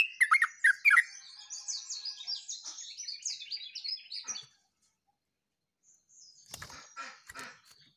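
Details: Yellow-vented bulbul singing actively on 29 August 2024. It opens with loud, bubbly slurred notes, then a long, thin, high twittering phrase, a pause, and softer scratchy sounds.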